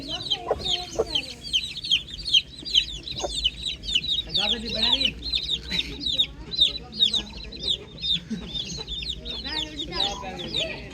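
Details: Chicks chirping on a farm in the morning: a dense, busy stream of high, short peeping notes, many overlapping and falling quickly in pitch, with faint lower clucks and soft rustling beneath.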